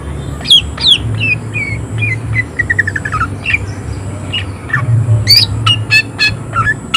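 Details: Greater green leafbird in full vigorous song with harsh, excited bursts: varied whistled slurs, a quick descending series of clipped notes, then high sharp upswept chirps, over a constant high tone and low background hum.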